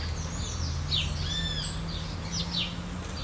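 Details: Bathing maroon-bellied parakeets, Pyrrhura frontalis frontalis, in hot summer weather in Brazil, giving brief harsh high notes, mixed with thin, clear whistled arcs from other birds and a low steady drone.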